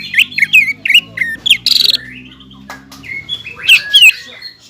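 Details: Greater green leafbird singing vigorously against rivals: a string of loud, slurred whistles, a short buzzy rasp, then a softer pause before more sweeping whistles, with a low steady drone underneath at first.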